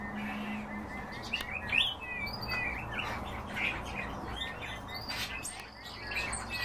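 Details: Group of European bee-eaters calling: rolling, slightly buzzy chirps scattered through the clip, several birds overlapping, with a low hum and other faint chirps behind.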